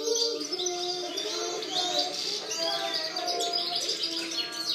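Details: European goldfinch singing, recorded in 2013: dense, fast twittering of high chirps and short buzzy trills that flow without pause, with a layer of lower, steadier tonal notes underneath.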